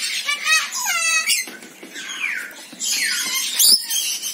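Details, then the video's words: Rainbow lorikeet calling: quick shrill notes, short falling whistled sweeps and rasping screeches, in bursts with brief pauses. "Suara Burung Nuri Pelangi/Perkici Pelangi"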